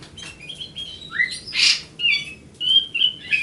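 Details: Grey-cheeked bulbul in song, short whistled phrases alternating with a burst of harsh rasping notes near the middle, then more clear slurred whistles at steady pitch.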